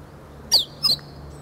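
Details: Meadow bunting practising its song on 8 March 2011, relaxed and close by, moving from calls towards full song; two sharp, high, quickly falling notes a short gap apart over steady low background hum.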